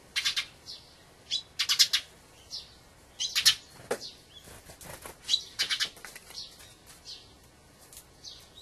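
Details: Short, squeaky, rasping calls of a wintering Dusky thrush, a migrant from far northern countries, delivered in quick irregular runs of two or three notes about every second.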